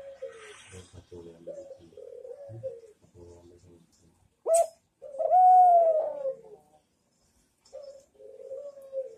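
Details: Soft, uneven low coos from a Barbary dove recorded as training material, broken by a sudden sharp click and a louder sustained tonal note with overtones, then quieter coos again.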